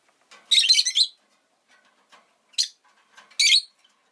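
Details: A rosy-faced lovebird lets out a long, harsh, rasping chatter lasting half a second, then two shorter shrill squawks about a second apart. Quiet clicks sound between the calls.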